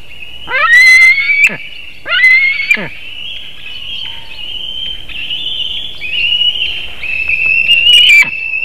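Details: Wild white-tailed eagles at a webcam nest in Latvia on 17 August 2018 at 7:06 am, screaming as a fish is delivered: long, high, wavering yelping cries with sharp sweeping notes, loud and close.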